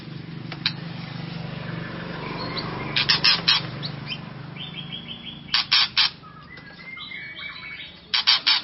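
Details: White-rumped shama song used to provoke and excite another shama: three short bursts of sharp, rapid chattering notes near three, five and eight seconds, over a steady low hum.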